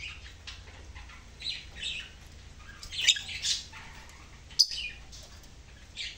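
A lovebird gives harsh, shrill squawks and chirps in irregular bursts, with one sharp, loud note near the end. A low indoor hum runs underneath.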